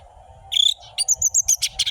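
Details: Orange-headed thrush lure song, quick and sharp: a brief rich whistle, then a rapid series of high ringing notes repeated several times a second, with a faint steady hum behind.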